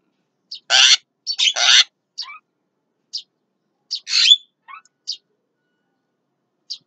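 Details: At midday, a Javan myna gives harsh grating bursts interspersed with short sharp ticks and a few thin whistled slurs, loosely spaced over several seconds.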